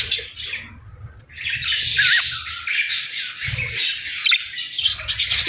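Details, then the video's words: Parakeets chirping and warbling, starting quietly, then swelling into a loud, busy chatter with rising whistled notes and squawks over soft low thumps. "Budgie Singing & Chirping Sounds | Relaxing & Happy Parakeet Sounds"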